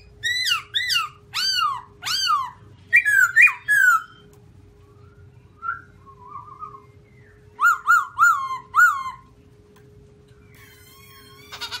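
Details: Black-throated laughingthrush, white-cheeked, sings loud downslurred whistles in bursts, a quiet warble, then a run of four quick notes, with a steady faint hum throughout.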